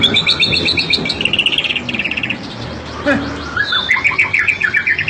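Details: White-rumped shama, a 'super' murai batu prized by hobbyists for an aggressive, agile singing style, giving rapid repeated high chirping notes in quick runs against a steady noisy background hiss.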